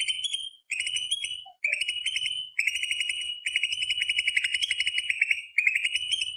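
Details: Greater green leafbird giving a long rapid trilled roll, a dense rattling series of high notes in continuous phrases with brief breaks, strongly sustained over the whole stretch.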